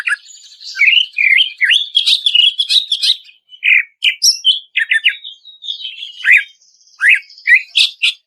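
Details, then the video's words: Greater green leafbird song in the ngplong style, processed for use as a lure to make stressed birds sing: rapid, varied high chirps, whistles and sharp buzzy bursts in dense phrases with short pauses, clean and loud. "SUARA CUCAK IJO NGPLONG"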